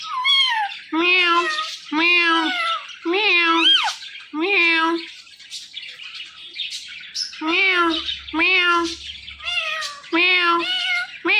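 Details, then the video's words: Pet ringneck parrot talking, giving a run of harmonic, speech-like squawked phrases repeated about once a second, with brief pauses between bursts. "My Talking Ringneck Parrot"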